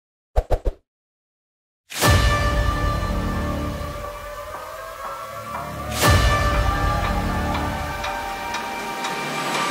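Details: A few short clicks, then a brief silence, give way to swelling cinematic music with deep booms and held tones, with no animal calls.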